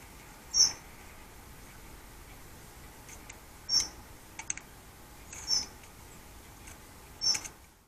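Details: Male common blackbird visiting a Scottish cottage garden in Scone, Perthshire, on an autumn Saturday morning to feed on mealworms; four thin, high, piercing calls repeated roughly every one and a half to two seconds over a quiet background.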